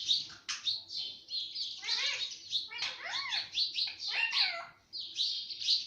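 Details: Pet parrot said to talk everything, including mummy and papa, delivers steady harsh chattering with arched whistled notes and rapid scratchy syllables, pausing once near the end.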